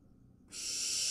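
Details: Wild barn owl nestling swallowing a large vole, a loud, harsh, breathy hiss that starts abruptly after a brief quiet moment and grows stronger.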